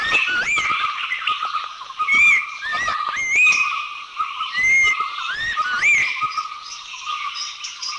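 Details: Abbott's Babbler from Thailand giving clear whistled notes that rise and dip, in short phrases of two or three notes repeated irregularly over a steady background hum.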